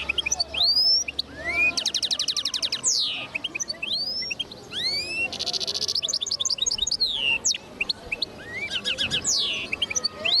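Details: Linnet-goldfinch hybrid from 2010 pouring out a twittering song, with upslurred whistles, two long rapid rattling trills of buzzy pulses, and fast chattering note runs between them.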